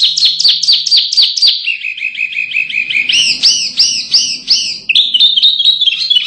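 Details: Masteran canary song for contest birds with fast falling chirps, a lower rapid trill, then slower looping arched whistles and a final high buzzy trill.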